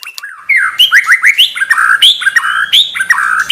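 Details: Tame caged white-rumped shama, a contest bird that sings on the ground but falls silent once hung on the contest pole, gives a loud, continuous run of varied whistled phrases, many slurred and rising, delivered in quick succession.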